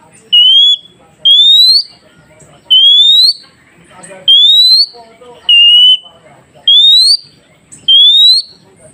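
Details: Oriental magpie-robin song meant to get freshly caught wild birds replying: seven loud, clear, high whistles, mostly rising, about 1.2 seconds apart, with faint twittering and sweeping calls in the background.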